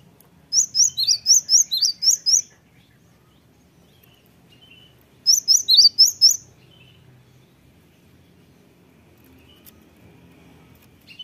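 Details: Cinereous tit song used as a lure to make other tits answer: two quick bursts of about eight high, sharp, bouncing notes, then a long quiet gap with faint background hum.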